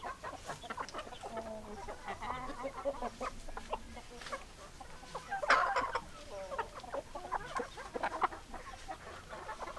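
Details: Chickens clucking together: many short, choppy clucks overlap, with a louder squawking burst midway, then further clustered clucks.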